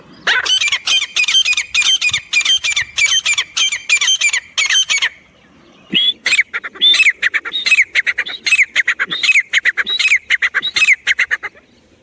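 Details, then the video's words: Francolin (teetar) in the jungle giving its calling voice, used as hunting sounds: a long fast series of harsh repeated notes, a short pause, then another dense run of grating, wavering notes. "francolin calling voice jungle,teetar Shikari sounds"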